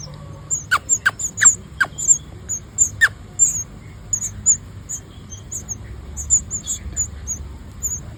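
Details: Nestling birds begging for food while gathered in the nest with open mouths: a stream of very high, brief squeaky chirps, punctuated early by several loud sharp clicks, over faint low background noise.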